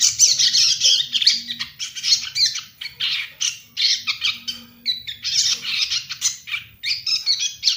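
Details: Young captive Ashy tailorbird (Orthotomus ruficeps) chattering in rapid, scratchy high bursts, two or three a second, with a faint low hum underneath.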